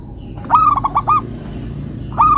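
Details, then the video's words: Local zebra dove (perkutut lokal) singing a melodious phrase of short rolling coos, a pause, then the phrase starting again. "Perkutut Lokal irama merdu, suaranya bikin adem ayem"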